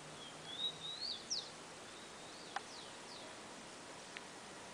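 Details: Rufous-collared sparrow, tico-tico, in a garden: a clear whistled phrase of slurred notes, first a rising then falling whistle, followed by a sharp downslurred note, then sparse faint clicks and a steady background hiss.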